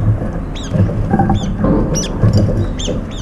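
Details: Brown-eared bulbuls, several birds at a feeding spot competing for food; a few short upswept squeaky notes break through a loud low rumble with soft tapping.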